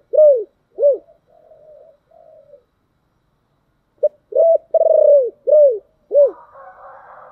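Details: Deep-voiced 'thổ đặc' spotted dove call meant to stir wild doves into replying; two short arched hoots and soft murmurs, a silence, then a rolling purr and three clipped hoots, faint hum at the end.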